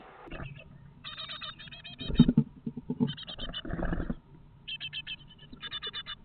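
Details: Great tit nestlings, eight siblings about 20 days old, inside a nest box in late morning as they fledge one after another; bursts of short, harmonic chirps repeat amid heavy scratching, rustling and thumping of the young moving in the box.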